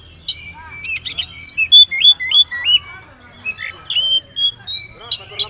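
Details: Song of an Oriental magpie-robin full of borrowed phrases, intended as a lure so other magpie-robins respond: chips, then a string of rising looped whistles, a pause, then more thin whistles and sharp clicks.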